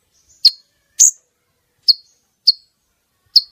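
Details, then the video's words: Female brown-throated sunbird (konin) calling, used to lure males in for capture with nets; five sharp, high-pitched chip notes spaced unevenly across a few seconds, otherwise quiet. "Pemikat kolibri ninja jantan,||, suara konin betina!!"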